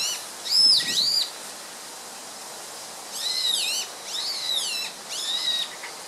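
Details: Song thrush, noted as a rare bird, recorded 24 March 2014, giving bright high whistled phrases with rapid slurred notes. A near-identical phrase repeats three times in quick succession after a long pause, with little else audible.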